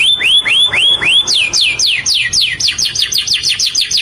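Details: Indian ringneck parakeet, green, calling in a quick run of sharp notes: a few upswept whistles, then steady high downslurred chirps repeated several times a second, shrill and clear throughout.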